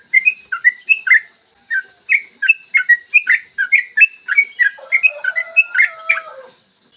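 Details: Yellow-vented bulbul delivering a long rapid song on a clear morning, used to draw out singing in other bulbuls: quick bubbly chirps, with a thin drawn-out lower whistle gliding down near the end.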